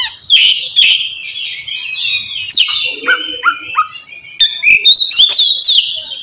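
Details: Oriental magpie-robin calling a rival to spur reluctant birds into song: scratchy warbles, a row of three short falling whistles, then sharp clicks and bright high notes.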